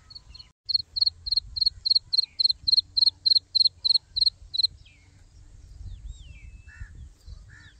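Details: Chick of the black francolin peeping rapidly in a high, regular series for about four seconds, then falling quiet, leaving soft background sounds and a couple of faint distant notes.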